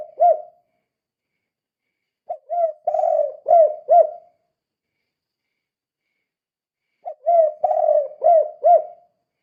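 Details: Spotted dove calling steadily in the kuk 2 style, a recording meant to lure other doves into calling. Soft hooting coos come in repeated phrases of several notes, with long silent gaps of two to three seconds between phrases.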